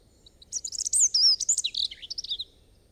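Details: European robin song: a rapid, tumbling phrase of thin, high, sliding whistles and trills lasting about two seconds, rising and falling in pitch before trailing off into silence.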